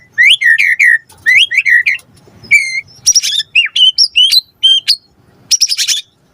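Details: Loud white-rumped shama lure song for prompting a response: paired rising whistled notes, a clear single whistle, then high sharp chips and upward slurs, with short pauses between phrases.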